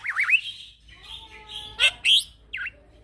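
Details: Young male black-winged myna in rolling 'ngeroll' song, used as a tutor recording for other birds: looping whistled warbles, then harsh rasping bursts and a sharp down-up whistle.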